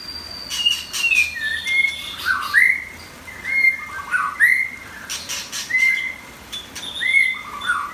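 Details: White-rumped shama kept as a competition bird, pouring out a run of clear whistled notes with upward slurs and quick twitters between them, steady and varied.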